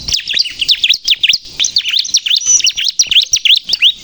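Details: Lure recording of a Bar-winged prinia singing freely: very rapid, high, sharply bending chirps, close to three per second, in a continuous lively chatter.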